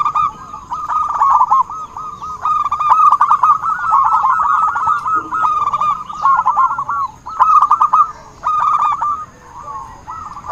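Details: Energetic zebra dove song used to attract birds to a trap: long fast trilled cooing phrases, some overlapping, with short breaks between bursts.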